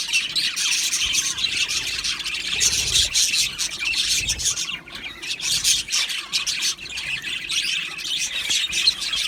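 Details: Australian budgerigars in an aviary colony calling together, continuous high chirping and squawks with a brief quieter gap near the middle and a few soft low bumps.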